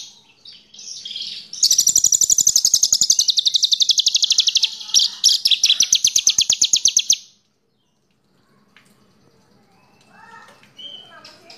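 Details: Horsfield's bush lark, a small bird of about 15 to 20 cm, singing as a lure to make other birds sing: a long dense run of rapid buzzy high notes repeated several times a second, then a pause and faint chirps.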